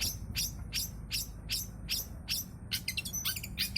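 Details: Long-tailed shrike giving busy, fill-rich song as a lure for other shrikes: sharp downward-sweeping high notes repeated roughly every third of a second, breaking into a fast jumble of varied chips and whistles over low background noise.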